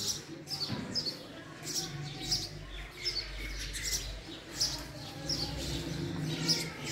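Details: Repeated high, clipped chirps of a house sparrow at uneven intervals, set against a low rumbling background hum.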